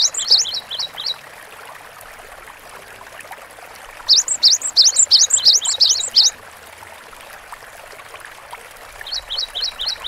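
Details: Lively Cinereous tit song in three bursts of quick, high two-note phrases, each burst lasting about one to two seconds, separated by silent gaps, with light background hiss.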